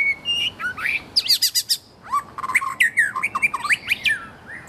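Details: Wild white-rumped shama singing energetically: clear, fluty whistles, some sliding up and some sliding down, interleaved with quick bursts of sharp high chips and short trills, delivered in lively phrases against a quiet background.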